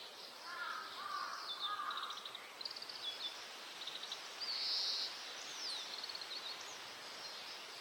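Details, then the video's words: Breeding male Oriental greenfinch singing in Hokkaido: a varied series of twittering phrases, low chattering notes then higher trills and a loud buzzy note, with other faint bird notes and steady background hiss. "カワラヒワの鳴き声（さえずりと地鳴き） / Oriental Greenfinch bird call and sound"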